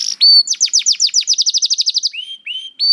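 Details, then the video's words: Juvenile canary singing as a lure for silent canaries: one loud high note, then a swift, even series of chirps around ten per second, closing with a few lower drawn-out whistles. "PANCINGAN KENARI PAUD TERBUKTI AMPUH MEMANCING KENARI SUSAH BUNYI IKUT GACOR"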